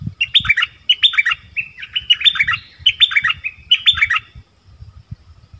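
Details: Nok dok taeng singing the 'double' song style in a duel with wild birds. Four quick bursts of chirpy, sliding notes, each a tight cluster of bright downward flicks, come about a second apart over low thumping handling noises.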